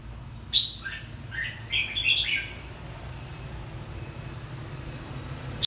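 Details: Red-whiskered bulbul from Quảng Nam, Vietnam, a two-season bird, gives one two-second run of crisp whistled and chirped notes, then near silence with faint low background rumble.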